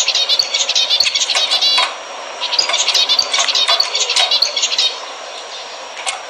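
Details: Zebra finches singing, used to stimulate breeding: two runs of fast nasal beeps, buzzy trills and squeaks separated by a brief hissy gap, ending with quieter background hiss.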